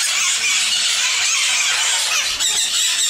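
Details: Sun conures kept at Bošovice Zoo, Czech Republic, produce a rapid, continuous stream of shrill, buzzy shrieks.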